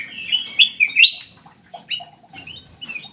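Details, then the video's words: Aviary black-crested bulbul song: a bright run of rising and falling whistled notes in the first second, then softer, spaced single whistles that slur downward. "BURUNG CUCAK EMAS \ KUTILANG EMAS SUARA MAKIN BENING"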